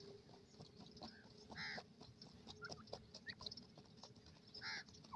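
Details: A captive Iranian teetar (francolin), playing and feeding, gives soft clucks and two louder, throaty chuckling bursts about three seconds apart, over a steady low hum and scattered clicks.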